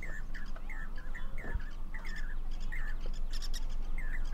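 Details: Four Jacobin cuckoos on a wire at Damdama lake, India, before the monsoon, calling to one another, possibly a mating ritual: quick repeated metallic 'piu' notes, about four a second, over other birds' chirps and wind rumble.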